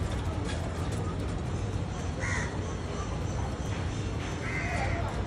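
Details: Two harsh, nasal caws from crows sitting in a tree, a couple of seconds apart, heard through heavy low street rumble and murmuring voices.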